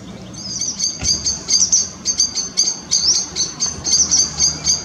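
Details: Grey wagtail family at the River Chelt giving sharp, high, thin chirping calls, quick and irregular at about two per second, with a low rumble of running water beneath.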